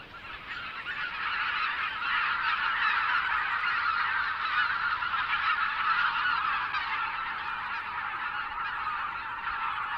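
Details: Canada geese on a pond in Belarus in March, where the species is a rare vagrant, honk together in a dense, continuous chorus of nasal honks, several a second and overlapping, with no other clear sounds.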